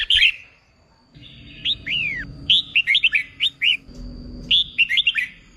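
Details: Contest-training song of a newly caught red-whiskered bulbul: a short burst, a pause, then a rhythmic series of looping whistled notes, with a faint steady hum underneath.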